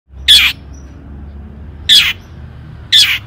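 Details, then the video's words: Long-tailed shrike in full song, 'toet toet' style, used as a lure to make other shrikes sing: three short harsh, rasping bursts spaced about a second apart over a quiet background. "cendet gacor AMPUH TOET TOET PANCINGAN CENDET AGAR BUNYI"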